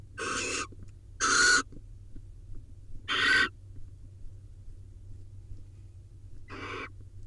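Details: Mating barn owls filmed by a nest camera in Israel; four harsh broadband screeches, two in quick succession, then a single one and a fainter final one after a pause, with a low steady hum behind.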